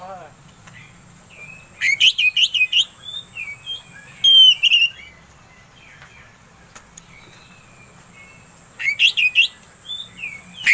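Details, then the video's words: Oriental magpie-robin lure song to excite another magpie-robin: scattered, quieter bursts of buzzy warbling notes and a few clear whistles, with long gaps and a low background hum. "Suara Pancingan Kacer Agar Cepat Emosi Gacor"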